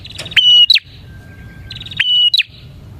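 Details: Bar-winged prinia singing energetically, played as bait to lure other prinias. Two identical phrases, each a steady whistle snapping into a falling note and short buzz, with a thin faint tone between them.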